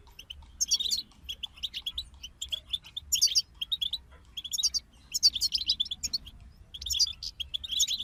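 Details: Goldfinches singing in a group, bursts of tinkling twitter and buzzy trills repeated every second or so, alternating with quieter chirps.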